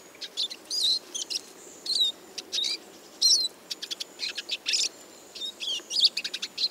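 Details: Eurasian siskin, a small semi-migratory finch, singing a fast twittering run of high chirps and short buzzy notes in quick irregular bursts, with brief pauses between phrases.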